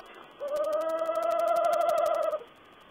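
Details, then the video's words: Owl heard on 14 April 2010 producing a single steady, quavering, mid-pitched trill lasting about two seconds, against a soft background hiss. "Owl's talk"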